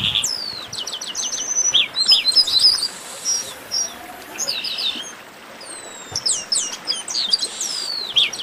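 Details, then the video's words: Chestnut-capped blackbird chorus, a noisy 'baderna' of many birds: overlapping high whistled slurs, rapid descending chip series, and bursts of harsh buzzy notes, with busy calling all through and a brief lull at mid-clip. "Baderna de Garibaldi"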